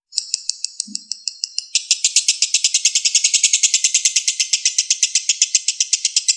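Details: A few spaced, high chirps from a lovebird open this konslet lure song, then near two seconds it bursts into a dense, continuous shrill trill of quick repeated notes.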